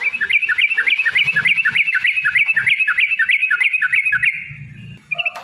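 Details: Yellow-vented bulbul (trucukan) singing an aggressive rapid-fire run, a lure recording meant to excite rivals into calling. Chattering whistled notes repeat about three times per second, steady and bright, then stop abruptly with a brief low knock.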